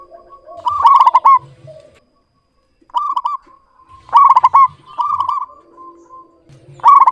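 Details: Rapid, bubbling coo trills from a clear-voiced local zebra dove, delivered in short bursts separated by pauses of about a second.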